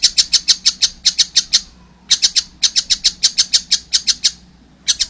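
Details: Young collared kingfisher calling in bursts of quick, sharp, high-pitched chips, each run of several notes broken by brief silences.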